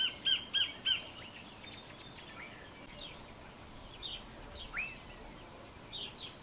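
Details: New Zealand kingfisher, known locally as kotare: three loud, harsh, evenly spaced notes in the first second, each about a third of a second apart, followed by faint scattered chirps from other birds over a quiet rural background.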